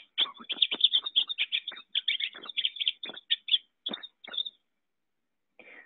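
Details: Pine Siskin in a Central Wisconsin backyard, a seed-eating ground feeder whose song is likened to a zipper going up: a fast, busy run of high twittering and buzzy notes for about four seconds, a pause, then one faint closing note.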